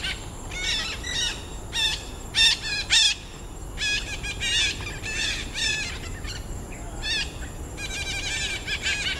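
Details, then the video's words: Red-breasted parakeets at Pasir Ris Greenbelt woodland, Singapore, giving a near-continuous stream of grating, nasal squawks in irregular clusters, some louder strident notes standing out, with a soft hiss beneath. "The Red-breasted Parakeet of Pasir Ris Greenbelt-Singapore"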